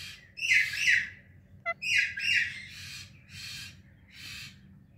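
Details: Morning calls from a kept pair, an Indian ringneck and an alexandrine parrot, chirping loud. About five harsh, screeching bursts sound here, with one sharp short note between the first two, all loud and rasping.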